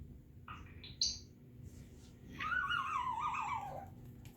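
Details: African grey parrot giving a few short high chirps, then a long wavering whistle that slowly falls in pitch, indoors.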